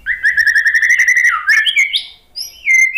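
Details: White-rumped shama song used as a lure to get a quiet captive bird in Indonesia to answer: a fast run of repeated chipping notes, then slurred whistles rising and falling, ending in a clear descending whistle.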